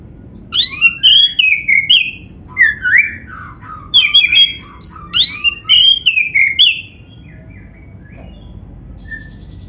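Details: Oriental magpie-robin of the black-breasted form in full varied song, played to prompt other magpie-robins to sing: a continuous run of loud whistled slurs, rising and falling notes and sharp chips over about six seconds, then fading.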